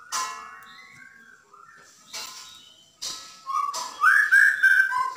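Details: Bornean white-rumped shama in full 'dar der dor' song, meant to provoke a caged shama into singing: soft scattered whistles and clicks at first, then louder, rising, ringing whistled phrases with quick trills near the end.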